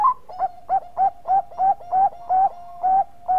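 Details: Bangkok-type zebra dove in full song, kept as a lure to draw others into singing: about nine bright, short coos repeated evenly every third of a second, each ending in a slight rising lilt, over a constant humming tone.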